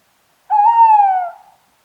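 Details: One clear tawny owl hoot against silence: a steady, mellow tone that swells, then sinks slowly in pitch and trails off after nearly a second.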